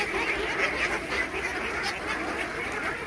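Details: Many Khaki Campbell ducks on a farm with about 3000 birds quack together during feeding. The harsh calls overlap into a steady, crowded racket.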